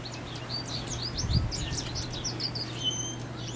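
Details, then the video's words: Male American goldfinch singing in May northwest of Valeport, Saskatchewan, Canada: a rambling string of quick, high, sweet twittering notes, somewhat faint over a steady low hum. "American Goldfinch singing (male)"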